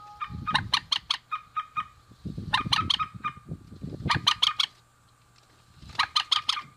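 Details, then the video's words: A pair of rails, male and female, calling in quick harsh rattling bursts of repeated notes, four main bouts with pauses between, accompanied by low rumbling background noise. "Suara Burung Mandar Jantan dan Betina"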